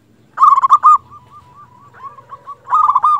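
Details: Local zebra dove calling, a sound used to lure other zebra doves into calling back: fluttering, trilled coos at a mid pitch open and close the phrase, joined by softer, drawn-out wavering coos in between.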